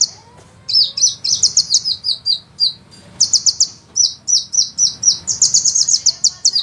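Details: Sunbird song on a master recording for training songbirds, described as fast, dense and rolling with long bursts: very high, rapid buzzy trills in quick repeated phrases separated by short pauses. Faint low background hum.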